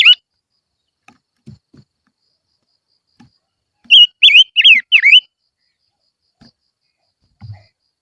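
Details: After a stretch of quiet thumps and taps, a barbet sings a lure song: a tight burst of five loud, high, swooping whistled notes.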